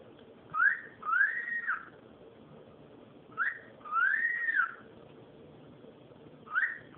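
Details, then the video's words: Cockatiel whistling: short rising notes alternating with longer arched whistles that rise and fall, spaced by pauses of a second or more, against a low steady room noise. "calopsita fazendo barulho"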